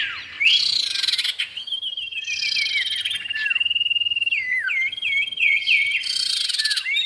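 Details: Lure sound of male and female common iora: a long, level, pure whistle is repeatedly broken by looping, dropping whistled notes, with loud bursts of buzzy chatter in between.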